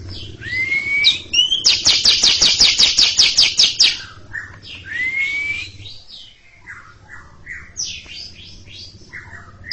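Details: Cucak ijo, the greater green leafbird, in long ngekek chatter before a younger bird: a rising whistle, then a steady rapid run of harsh buzzy notes lasting about two seconds, followed by varied whistles and chirps.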